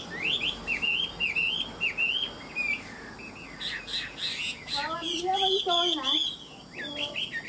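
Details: Chinese hwamei, a tame bird described as a good fighter, in 'ngũ trường' five-phase song: rapid rising and falling whistled phrases, then a burst of richer, layered notes mid-clip before the whistles resume.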